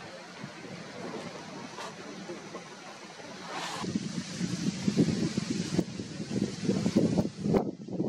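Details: Outdoor field ambience of steady wind and microphone rumble with low rushing noise, a few sharp knocks and faint distant murmuring, and no animal calls.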